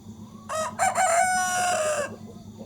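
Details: Broiler rooster, one of two kept as breeding males in a hamlet, crowing: two short rough opening notes, then one long, drawn-out, slightly falling hoarse note, against steady background hum.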